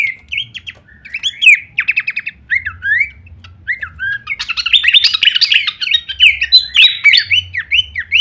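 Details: Horsfield's babbler in a full-variation kleperan song used as masteran training material: quick whistled slurred notes and short rattling trills tumbling one after another, growing denser and louder toward the end, with a faint low hum beneath.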